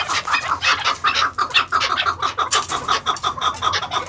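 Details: Breeding pairs of captive chukar, first- and second-cross maskati chakor on a farm, give a run of regular clucking chuk notes, nearly three per second, steady and insistent.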